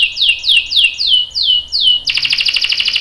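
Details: Canary lure song meant to make other canaries answer, with a long roll: about eight bright downward-sliding whistles in quick succession, then a dense, buzzy rolling trill.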